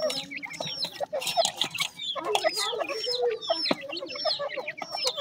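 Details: Chicks of grey francolin, known locally as teetar, give a continuous jumble of squeaky, high chirps. Soft, lower clucks are mixed in, and a sharp click is heard near the end.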